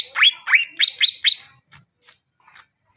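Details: Greater green leafbird, recorded to spur silent birds into singing: five quick, bright upslurred chirps in a tight series, then brief faint ticks and near silence.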